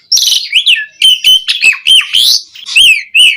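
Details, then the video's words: Caged Asian pied starling song used to stir other caged birds to sing: loud, varied phrases of clear whistled notes mixed with harsh, buzzy chatter, delivered in quick bursts with short gaps. "Suara Burung JALAK SUREN GACOR Full Isian Pancingan PENDONGKRAK Emosi Burung Jalak Agar Cepat Gacor"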